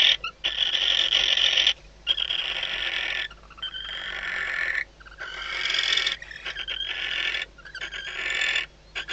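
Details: Barn owl pair in a nest box at Riet Vell reserve, Ebro Delta, days before hatching, mating and then preening each other. Hoarse, hissing screeches of one to two seconds, given in irregular bouts with quiet gaps.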